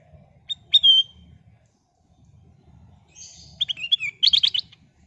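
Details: Sooty-headed bulbul of a golden-coloured form, its song used as a lure to get other birds singing: a sharp note and slurred whistle, then a burst of quick chirps and rapid trilled notes, over a faint low rumble.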